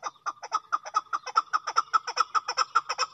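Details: A chakor, or chukar partridge, gives fast, regular chuck-like clucks, roughly two and a half per second, each note brief and mid-pitched, starting softly then holding a steady loudness in a clean, quiet setting.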